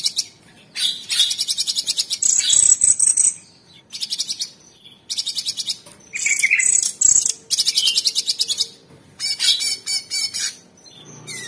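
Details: A cucak cungkok, or Orange-bellied Leafbird, in its 'tembakan' song, recorded as a master for training cage birds: repeated bursts of rapid, high, buzzy trills, each lasting one to two seconds, with short gaps and occasional warbles.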